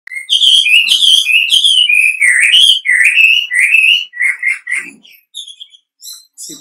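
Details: Wambi call used as a lure to make other wambi answer: a rapid run of whistled, slurred notes that rise and fall, dense and loud for four seconds, then thinning into short, separate chirps.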